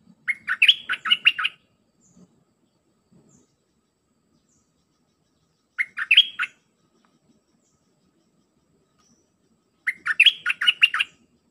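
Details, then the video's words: Red-whiskered bulbul song repeated for tutoring hand-fed chicks and juveniles: three brisk phrases of chopped, warbled whistles, each about a second long, coming every four to five seconds, with soft low rustles between. "เสียงนกดอกแตงEp.129เปิดหัดลูกป้อน/ลูกเสอ เพลงแน่นๆ สับดอกล้วนๆ"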